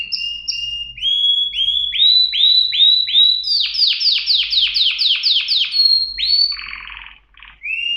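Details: Canary song opening with paired clear whistles, then rising slurred notes about two per second, accelerating into a fast series of falling chips, a buzzy rattle and a final upslurred whistle.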